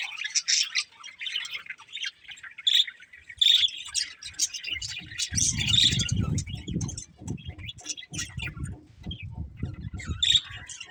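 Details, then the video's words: Budgies chirping with bursts of warbled chatter and a few clear whistled notes, some repeated tones, while a low rumbling noise swells through the second half. "Cute Budgies Chirping Sounds"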